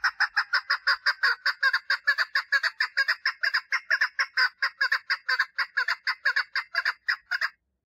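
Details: Female chukar partridge calling for mating: a fast run of harsh clucking notes, about two per second, each rough and chuckling, continuing steadily for over seven seconds before stopping.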